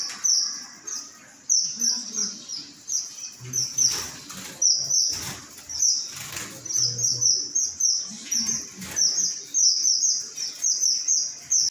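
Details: Strawberry finches chirping steadily: thin, high-pitched notes in rapid clusters, nearly continuous over the stretch, with wing flutters, cage knocks and faint low rumbles beneath.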